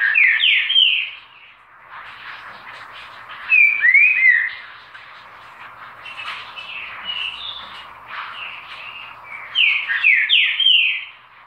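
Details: Green-winged saltator singing repeated loud phrases of clear, downslurred and upslurred whistles, each burst about a second long and returning every few seconds, with a constant chatter of other birds behind.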